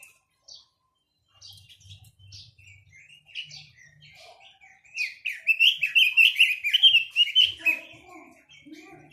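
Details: A Chinese hwamei starts with hesitant, quiet scattered notes, then bursts into a vigorous stretch of fluid, rolling whistled phrases, loud and densely packed, before fading back to softer notes.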